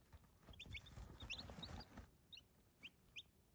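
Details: Baby chicks peeping: short, high, slightly rising peeps in quick scattered bursts, loudest in the first two seconds, over steady low rustling and scratching.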